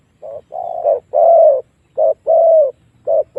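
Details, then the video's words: Spotted dove lure call used to draw wild doves into fighting: a series of low, mellow coos, some short and some drawn out, given in an uneven rhythm with brief pauses between notes. "เสียงต่อนกเขาใหญ่ เจ้าสุดสาคร ต่อได้ผล 100%เสียงนกป่าเข้าสู้กันนานๆ"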